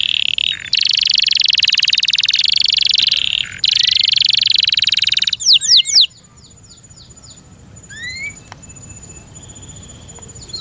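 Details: Song of a kept canary: a loud, high, rapid rolling trill lasting several seconds with two short breaks, then a burst of quick downward sweeps and a few sparse, soft, rising chirps.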